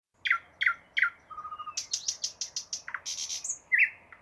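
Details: Unidentified songbird singing: three sharp downslurred chirps, a short low trill, then a quick run of varied buzzy and whistled notes, closing with a bright high whistle.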